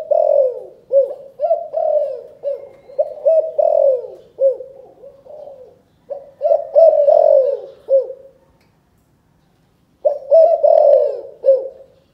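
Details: Spotted dove from Cần Thơ, Vietnam, in chụp chụp ô calling coo: rhythmic series of mellow, throaty coos, each dipping in pitch, in two long phrases with a silent gap before a final burst.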